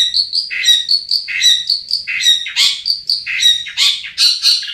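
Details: Long-tailed shrike singing on a lure recording meant to spur lazy caged shrikes into song; alternating clear high whistles and lower buzzy, warbling phrases delivered in a quick, varied sequence.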